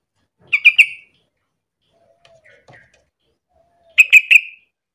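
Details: Sooty-headed bulbul singing steadily as a lure to get other bulbuls calling: two bright phrases of three rapid chirping notes each, about three seconds apart, with faint soft notes in between.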